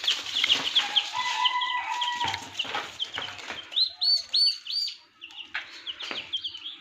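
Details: Turkey chicks starting to hatch in an incubator machine on a turkey farm in Darrang, Assam. A fast series of loud, high, down-slurred peeps from several chicks, with brief steady tonal beeps early on and a low hum.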